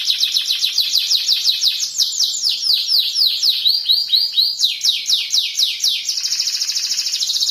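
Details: Canary singing loud, rapid trills of high sweeping notes, about two per second, shifting between phrases and ending in a faster, even buzzy roll.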